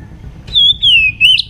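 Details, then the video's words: White-rumped shama morning song for voice training: one clear, smooth whistle held and gently wavering, slowly falling in pitch, ending in a short bright flourish. "chòe lửa hót sáng luyện giọng chòe lửa hót"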